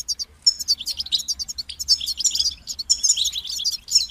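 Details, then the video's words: European goldfinch pouring out an unbroken stream of high, rapid twittering notes, bright and chattering throughout with little pause. "Highlighting motivating songs for creative goldfinches in simple ways"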